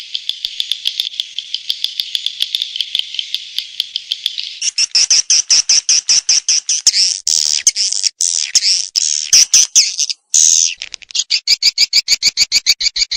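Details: Swiftlet calling: a continuous high buzzing twitter overlaid with fast ticks, changing to loud harsh rattling bursts, then a rapid even series of sharp clicks.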